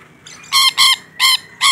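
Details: Rainbow lorikeet, a single chatty bird, giving four loud, grating screeches in under two seconds, each a short raspy blast.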